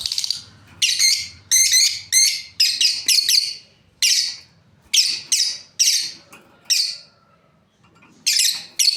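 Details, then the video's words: A breeding pair of lovebirds chattering: quick clusters of shrill, buzzy chirps, then evenly spaced single notes and a short quiet gap before calling resumes. "Beautiful lovebirds chirping sounds"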